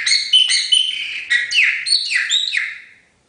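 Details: Chopi blackbird singing a rapid run of rich, ringing whistled notes, several sliding steeply downward, in tight phrases lasting about three seconds before fading out to silence, with no other sounds.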